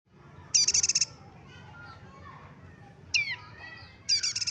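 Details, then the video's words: Local yellow-bellied prinia from Batam singing: short fast buzzy trills high in pitch, each about half a second, with softer chirps and twittering notes between, over a low background hum. "Suara prenjak lumut lokal Batam"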